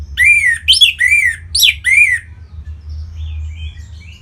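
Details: Orange-headed thrush singing to prompt other birds to sing: five loud, downslurred notes delivered in quick succession, each bright and slightly buzzy, followed by faint high whistles and a low hum.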